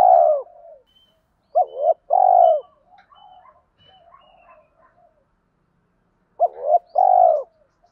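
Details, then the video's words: Spotted dove coo calls from male and female birds, played to stir captive doves. Two phrases, each a quick double note then a drawn-out rolling coo, separated by quiet low murmurs. "tieng thuc đấu và gay goi cu gay kich boi"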